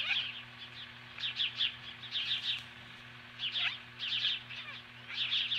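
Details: Osprey at its Montana nest in Hellgate Canyon, July 2015, facing magpies: softer bursts of high, rapid chirping whistles separated by short pauses, over a low steady hum.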